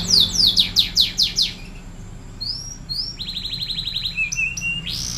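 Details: Panda-patterned canary singing energetically: rapid series of steep downward-sweeping high notes, then rising whistled slurs and a fast buzzy trill, with a low steady hum underneath.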